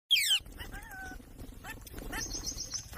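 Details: Alexandrine parakeet talking, natural sound: one loud harsh raspy squawk opens, followed by quieter thin whistled tones, a short wavering note and soft chatter against low background rumble.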